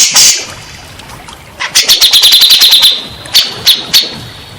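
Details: Grey-cheeked bulbul, with its song used as therapy for stressed birds that have gone silent. A harsh opening burst, a run of quick sharp chattering notes, then a few scattered louder notes.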